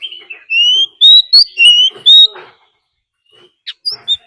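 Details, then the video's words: Decoy Oriental magpie-robin in fighting song used to provoke rival birds: clear, loud whistled notes, each rising or slightly bending, delivered about two per second in a tight phrase, then a pause and a few short sharp notes. "Choè than mồi hót đấu +tiếng chim mái rừng"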